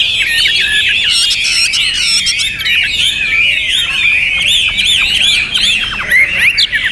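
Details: Loud, continuous Hwamei song of varied whistles, slurs and squawky notes packed closely together, with rising sweeps toward the end.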